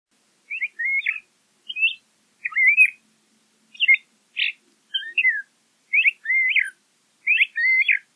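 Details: LeConte's thrasher singing: a steady series of short, varied phrases of slurred whistles and chirpy notes, some rising and some falling, about nine phrases given at roughly one per second, with a clean, quiet background.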